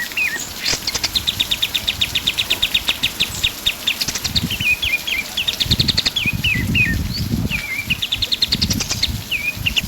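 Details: Long burst of pied triller song: rapid chip trills alternate with falling, zigzag whistled phrases and rising sweeps, with intermittent low rumbling noise in the middle.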